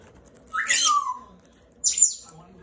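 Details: Indian ringneck parakeet brothers quarrelling over pomegranate seeds, one greedy and not sharing: a loud rising screech sliding into a falling whistled tail, then after a pause a second high, shrill squawk.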